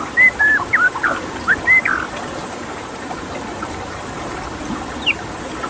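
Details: White-rumped shama with a steady background of water: a brief cluster of clear whistles in the first two seconds, then mostly water with one high thin note later.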